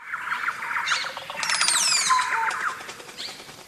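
Crested oropendola: busy liquid gurgling and rattling chatter, with quick downward-sliding notes and one brief clear whistle midway, possibly several birds at once.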